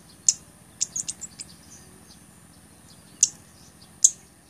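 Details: Sharp, very high clicks from a blood-breasted flowerpecker, a song used to train other songbirds and to lure birds: a quick cluster of ticks early on, then isolated loud chips roughly a second apart, with a steady high hiss.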